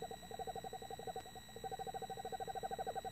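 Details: A male and a female Eastern Screech Owl call to each other close together in a nest box beside the microphone, giving a steady, rapid trill of soft hollow notes, about a dozen a second, almost without a break; a faint steady hum underneath.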